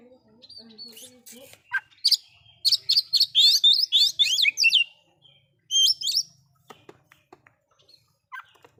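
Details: Loud-voiced oriental magpie-robin whose song with imitated fill-in notes agitates rival magpie-robins; after soft low tones, a rapid run of piercing whistles and buzzy chirps, then a short second burst and scattered clicks.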